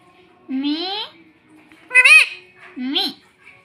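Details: Indian ringneck parrot chick kept at home, taught to say "mummy": three voiced, speech-like phrases, the first a slow rising glide, the second a loud arched note, the third a short rise and fall.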